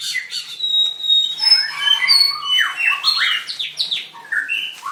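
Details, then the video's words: White-rumped shama singing in a bird singing contest, dancing as it sings: a rich, varied run of clear whistles, sliding notes and rapid chirps sweeping up and down, with overlapping phrases suggesting several songsters in a room. "Birds White-rumped shama dancing and singing like crazy till chirped sorethroat"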